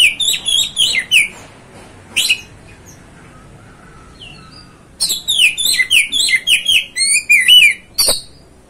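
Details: Oriental magpie-robin, called kacer, singing to provoke another bird: bursts of rapid high chirps and slurred whistles, a quiet pause of about three seconds, then a fast resumed run of bright notes.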